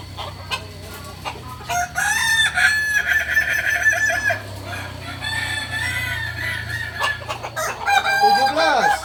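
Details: Kukuak Balenggek cockerel crowing at a Sunday practice contest in Ampang Kualo: bursts of rich harmonic crowing, several stepped phrases of about a second each, then a downward-swooping call at the end, with background chatter.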